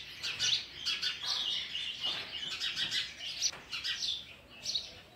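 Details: Sparrow chicks being fed oversized food by a parent: dense, high chirping and twittering, rapid overlapping peeps with short squeaky bursts, continuous throughout.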